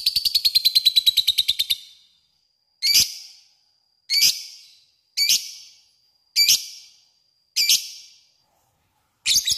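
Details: Lovebird lure for calling a rival: a rapid, two-second rattling chatter of shrill notes, then sharp, harsh single chirps spaced about a second apart, each trailing off in echo.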